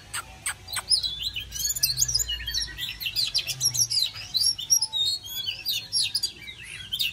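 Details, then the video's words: Oriental magpie-robin singing to welcome summer: a dense, continuous run of varied whistles, sharp chirps and rapid trills, with quick rising and falling sweeps and scratchy notes, and a faint low hum underneath. "Chòe than uốn hót đón hè sang"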